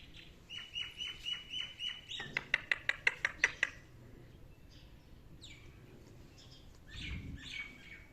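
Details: Talking rose-ringed parakeet kept indoors: a run of repeated nasal, harmonic notes, then a rapid burst of sharp clicking pulses, followed by squeaky, speech-like whistled phrases in a small room.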